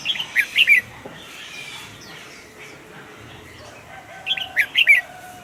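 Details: Caged red-whiskered bulbul sings two short rich phrases of tumbling whistled notes separated by a quiet pause with faint background chatter.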